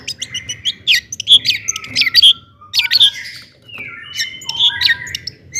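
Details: Long-tailed shrike in lively 'toet toet' singing, used to provoke other shrikes into singing: bursts of high chirps and sharp squeaky notes with brief clear whistles, interrupted by short pauses.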